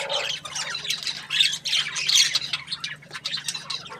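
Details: Happy budgerigar chirping: rapid, scratchy high-pitched chatter, with squawks and trills run together in loud bursts and short dips between them.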